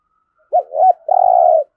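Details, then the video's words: Single spotted dove phrase in 'giọng thổ' style, meant to stir captive birds into cooing and fighting: two quick rising-falling notes followed by a long, even, slightly trembling coo. "Tiếng chim cu gáy thúc gù + thúc đấu đủ bài giọng THỔ giúp bổi nhanh nổi"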